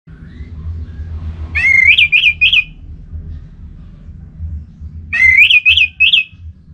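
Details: Orange-headed thrush (anis merah) in lively gacor song, used as a lure to set other thrushes singing; two loud whistled phrases, each a rising slur followed by three wavering, looping notes, about three and a half seconds apart, over low background hum.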